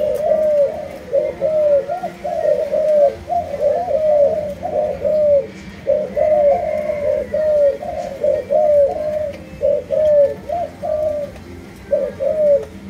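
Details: Malaysian-line spotted dove, kept as a cage bird, delivering long runs of soft hooked coos, each phrase a string of rising-falling notes with brief gaps; a faint higher tone hums behind.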